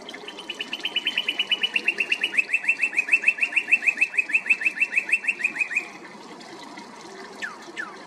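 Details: Male northern cardinal, singing to hold territory or attract a mate: a long, fast trill of clear, even notes lasting about five seconds, followed by quiet and two separate downslurred whistles.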